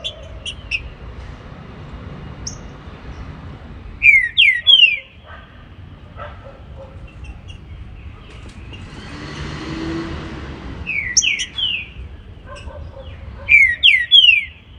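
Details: Green-winged saltator singing in the morning, repeating its phrase of three falling whistles several times with pauses between, mixed with short chips; a passing vehicle swells and fades midway.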